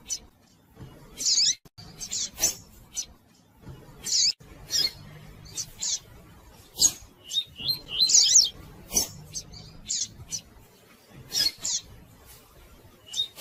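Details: Female Double-collared seedeater calling, a recording used to stimulate singing in males: high, thin chirps and short twittering bursts in clusters every one to two seconds, mixed with sharp clicks and knocks.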